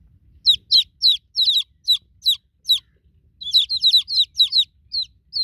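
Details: Newly hatched chicks call for a broody mother hen with piercing descending cheeps in quick clusters, a silent gap midway, then a faster run of overlapping peeps.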